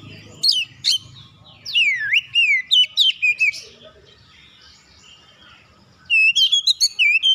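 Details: Magpie-robin song played to make other magpie-robins answer: scattered sharp notes, then several loud swooping whistled slurs dropping and rising, a quiet stretch, and a final rapid flourish of high, bright warbled notes.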